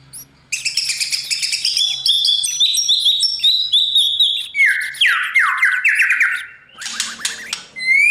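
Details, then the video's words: White-rumped shama singing at morning to coach a young bird for song competition: dense rapid high notes, then a series of loud descending slurred whistles, with a low hum underneath. "Chòe lửa hót sáng luyện giọng cho bổi hót đấu căng lửa , chòe lửa luyện giọng"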